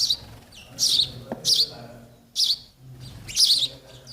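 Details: Sparrow nestlings waiting for their parents to feed them: short, high, harsh chirps in bursts of about a quarter second, spaced irregularly, with faint low background noise.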